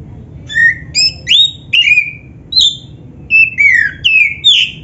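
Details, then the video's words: Oriental magpie-robin, a black-breasted kacer, singing loudly, played so other kept birds join in: a varied run of clear whistled notes, some sliding down, others rising, in bursts about every half second over faint low background hum. "KICAUAN BURUNG KACER TERBAIK‼️BIKIN EMOSI LANGSUNG"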